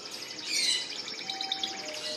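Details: Caged canaries singing in the background at a bird shop in June: high, bright song of fast rolling trills and twittering phrases, with a faint steady whistle-like tone briefly underneath.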